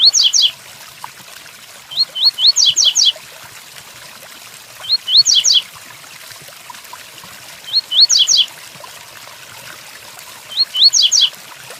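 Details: Five Tui Tuí phrases from a double-collared seedeater, evenly spaced about two and a half seconds apart over continuous rain. Each phrase pairs quick rising whistles with a tight cascade of falling, buzzy notes.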